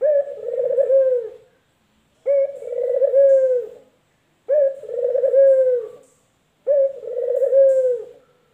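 A male collared dove gives a low, throaty coo about every two seconds, each phrase a rolling purr with a soft drawn-out ending; nothing else is heard.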